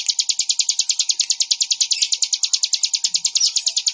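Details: Bar-winged prinia singing a rapid, evenly spaced series of sharp, high chirps, roughly three per second, continuing throughout.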